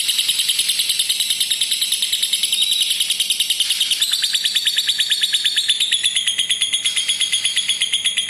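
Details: Lovebird long trilling song, used as a lure and training recording for lovebirds that are reluctant to trill: a continuous high chattering trill with rapid pulses that shift higher midway, over steady background hiss.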